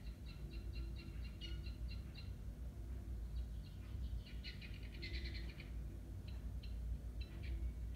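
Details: Noisy guinea fowl giving rapid runs of harsh, rhythmic clucking notes in bursts, louder toward the middle, over a steady low rumble.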